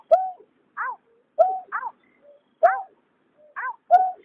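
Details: Male and female white-breasted waterhen calling in 2021: harsh, nasal two-part notes, a low drawn note paired with a higher bent one, repeated in loose pairs roughly every second with short quiet gaps.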